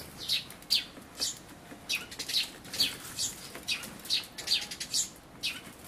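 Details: Eurasian tree sparrows, a parent possibly very old with a large black throat patch, feeding chicks at a feeder, recorded 28 May 2013: short high chirps repeated about twice a second, with wing flutters.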